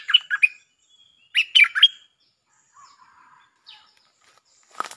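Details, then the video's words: Bulbul lure song in the 'Chao Bank' style: two bright, bubbling warbled phrases of several slurred notes, then a quiet stretch with faint low chatter and a sharp click at the end. "เสียงนกดอกแตงEp.153 ฟังกันยาวๆเพลงจ้าวแบงค์ มีเบิ้ล เพลงเพราะน่าฟังSuara pikat merbah lekir gacor"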